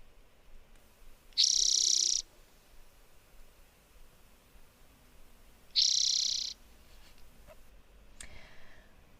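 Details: Spotted Towhee dawn song in breeding season, Big Bear Lake area, on a bird walk on 11 August 2021. It gives two high, dry buzzy trills, each under a second long and about four seconds apart, with a faint click near the end.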